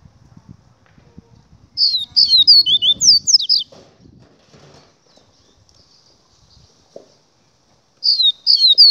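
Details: Double-collared seedeater song in two bursts of high, twisting whistled notes, the first about two seconds long, the second starting after a quiet gap, with faint low rumbling between.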